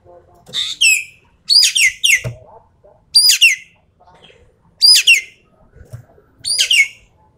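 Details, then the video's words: Javan pied starling singing full tembakan style, with loud harsh descending chatter bursts spaced about every one and a half seconds and soft twittering between them. "BURUNG EKEK KELING SUARA FULL TEMBAKAN"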